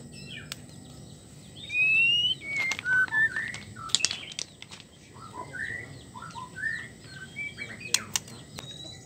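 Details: A female white-rumped shama in heat calls a male with a rising whistle and several slurred notes, then spaced soft chirps, mixed with sharp clicking and tapping sounds.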